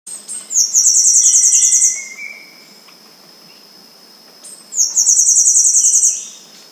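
Temminck's Seedeater sings very high, buzzy, insect-like trills in bursts about a second long.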